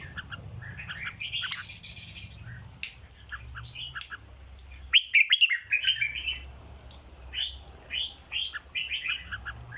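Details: Caged red-whiskered bulbul, in the legendary 'rong dok' song style: faint, scattered notes at first, then a loud cluster of sharp whistles, followed by spaced, rounded whistled phrases.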